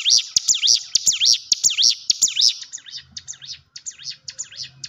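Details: Hill prinia song played as a lure so that a quiet, nervous caged bird starts singing: strong, high, bouncing V-shaped chirps repeated quickly for two and a half seconds, then softer, faster, clipped chirps over a low background rumble.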